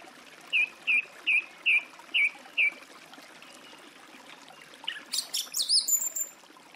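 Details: Song thrush delivering six identical clear, looping whistles about every half second, then a burst of high, dense twittering notes; steady hiss underneath.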